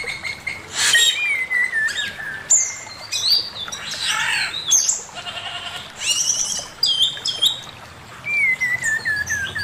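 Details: Male Chinese hwamei master song: loud varied phrases mixing long falling whistles, rasping bursts and sharp high notes, with brief pauses between outbursts.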